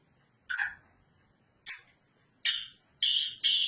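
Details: Black francolin (kala teetar) of the Sindhi type, calling while perched on its owner's hand: a series of harsh, grating, broadband notes, the first few spaced about a second apart, the last two longer and closer together, over quiet background.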